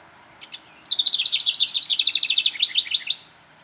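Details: A house wren gives a rapid, bubbling burst of high, tumbling notes lasting about two and a half seconds and drifting slightly downward, over a quiet background. Recorded 4 May 2009 at Rosetta McClain Gardens, Toronto, Ontario, Canada.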